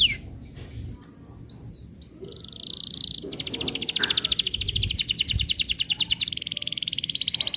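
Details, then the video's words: Lively canary song used as a lure for tutoring young canaries: scattered faint notes and a buzzy phrase, then a long, very fast high trill that swells in volume over a low background hum. "Suara Pancingan Kenari Gacor, Cocok Untuk Materan Paud Kenari"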